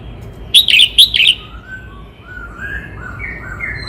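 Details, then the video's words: Red-whiskered bulbul of Cao Bằng, Vietnam, singing a lively phrase of four punchy, slurred notes. Then comes a series of softer, drawn-out whistles, some rising, others level, from other birds in the background. "Tiếng chim Chào mào hót - Chim chào mào Cao Bằng hót cực hay"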